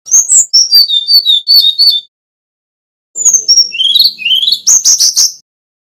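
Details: Bali male Brown-chested jungle flycatcher, a prolific gacor singer, gives a two-second string of quick descending whistles, falls silent for about a second, then returns with rising slurred whistles and a burst of high, rapid notes.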